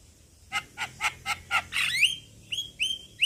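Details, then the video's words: Javan myna male calling to young birds of its kind. Five evenly spaced rasping notes are followed by bright, upward-sweeping slurred whistles repeated several times. "Kicauan Jalak Kebo Jantan Memanggil Kawan Jalak Kebo Muda"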